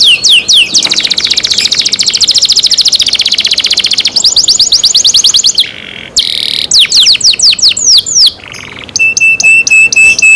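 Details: Kept canary in full song: a long, very dense buzzing trill, bursts of rapid slurred notes, brief pauses, and a closing series of clipped metallic notes, loud and high-pitched throughout.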